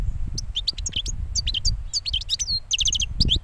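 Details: Freshly moulted young European goldfinch giving quick, sharp twittering notes and short liquid phrases, with low rumbling noise underneath.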